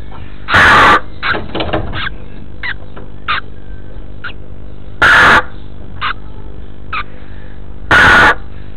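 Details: A female red-billed chough returning to her nest on 14 May 2014 finds her two chicks and calls, perhaps to her mate or the chicks: three loud, harsh, ringing calls very close, spaced three to four seconds apart, with softer chirps and rustling.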